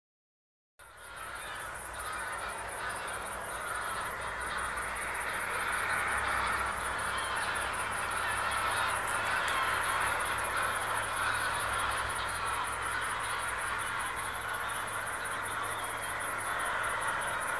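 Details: A large skein of wild geese departing at Wolwark in 2015 calls in a dense, continuous chorus of overlapping honks.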